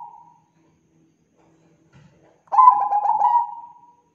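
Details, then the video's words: Zebra dove of the Bangkok type, an actively singing bird used as a lure to prompt other doves: one rolling, stuttering coo phrase of about a second and a half, with a brief softer note at the start. "PANCINGAN PERKUTUT BANGKOK GACOR"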